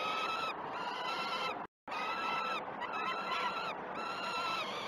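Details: Peregrine falcon chicks at the Great Spirit Bluff nest, seen on a live nest cam on 12 June 2018 during the day's first two feedings. Loud, harsh, harmonic wailing cries overlap almost continuously, with one brief silent gap.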